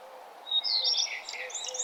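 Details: Bird singing at sunrise on a nature trail: a quick, high, tumbling phrase of chirps and sweeping whistles lasting about a second, over faint steady background noise.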